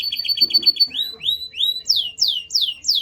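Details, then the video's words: Domestic canary singing a varied phrase: quick chirps, then rising slurred whistles repeated about twice a second, ending in high descending sweeps. "Your Canary WON'T STOP SINGING After Hearing This!"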